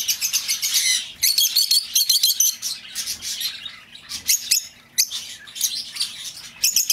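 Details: Lovebird chatter used to attract an escaped bird back: continuous, shrill, rapid chirping and screechy notes, dense and almost unbroken, briefly easing near the middle.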